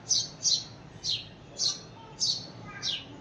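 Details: House sparrow calling out for a companion sparrow: six sharp, high chirps spaced about half a second apart, each a short bright descending note, over a quiet indoor background.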